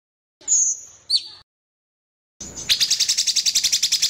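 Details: Sooty-headed bulbul song, a tutoring recording with varied phrases and pauses: two high whistled downslurred notes, a second's silence, then a fast, even, buzzy trill of pulsed notes.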